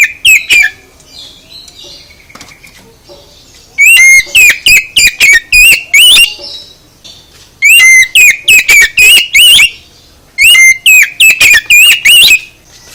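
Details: Oriental magpie-robin song used to draw replies from other birds: loud whistled phrases of quick, slurred notes come in three bursts, each lasting about two seconds and separated by quieter pauses.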